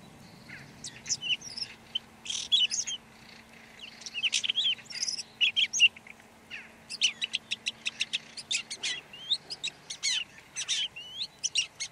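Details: Red-backed shrike singing a rambling, varied warble of scratchy chattering notes, high squeaks and short whistles, delivered in dense bursts with brief pauses, over a faint steady low hum.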